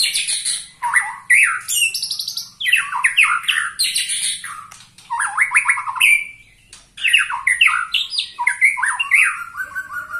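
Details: Vigorous song from a 21-year-old white-rumped shama: long, loud sequences of sweeping whistled slurs, buzzy squawks and rapid chattering notes, broken by short pauses, with phrases repeated and varied over ten seconds.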